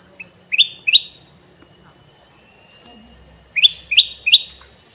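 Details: Sooty-headed bulbul, a red-eyed male used as a lure for wild birds, gives two or three rising chirps, falls silent about two and a half seconds, then repeats three bright upward-sweeping notes.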